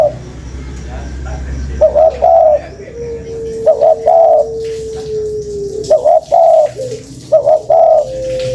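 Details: Spotted dove used as a lure, repeated husky phrases of two short coos and a longer one, spaced a couple of seconds apart, with a long faint level tone and some low background rumble.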